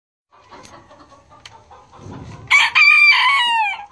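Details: Golden Sebright bantam from a flock of golden Sebright bantams: soft scattered clucks and shuffling, then a loud, high, harmonic crow in two strained bursts, the second held and slowly falling at the end.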